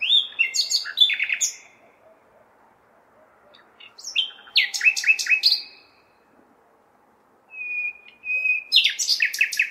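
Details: On a May night in a big city, a nightingale calls out for females with three loud phrases of piercing whistles, dense rapid trills and a long steady high note, each broken by two-second silences.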